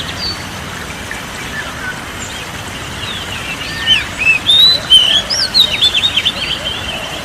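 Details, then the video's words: Oriental magpie-robin song as therapy for a stressed or quiet bird: quiet at first, then from midway a burst of sharp whistled notes and short trills, repeated in quick pulses. "TERAPI BURUNG KACER SETRES DAN MALES BUNYI"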